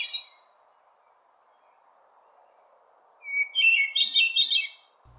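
Hermit Thrush song: a clear, fluty opening note sliding into a higher, ethereal swirl of ringing tones, one phrase after a long pause, over a faint steady hum.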